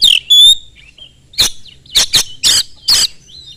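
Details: Oriental magpie-robin in fast lure song for other magpie-robins: opens with a falling whistle and level ringing note, then a run of harsh rasping bursts roughly every half second.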